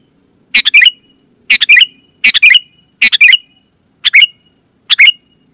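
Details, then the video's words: Sooty-headed bulbul, loud and clear, used to call wild birds and set other bulbuls singing: six crisp bubbly phrases of three or four notes, repeated at slightly uneven intervals. "Suara Burung KUTILANG GACOR,Super Ampuh Keras, Lantang dan Jernih, Burung Kutilang Lain Auto Gacor"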